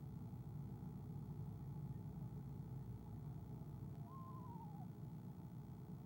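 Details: Soft greeting trill of a female eastern screech owl as her mate visits the nest, February 2015; one short quavering falling trill late in the clip over a low rumble.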